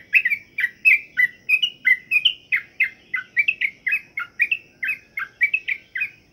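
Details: Trucukan, or sooty-headed bulbul, kept under pengembunan dew care so it sings diligently, pours out a steady run of chirpy, gurgling notes, each sliding down then up, about two to three per second, over faint low background hum.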